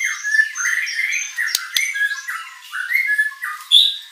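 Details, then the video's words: A white-rumped shama sings energetically with a mimicry-rich repertoire, meant to lure rivals into answering; continuous varied warbled and slurred phrases, with two sharp clicks midway and a bright high note at the end. "MURAI BATU GACOR full isian materi mewah"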